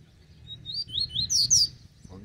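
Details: High, clear song of a loose double-collared seedeater attracted by a caged bird: short upslurred whistles followed by a few loud, buzzy downstrokes, with faint low background noise.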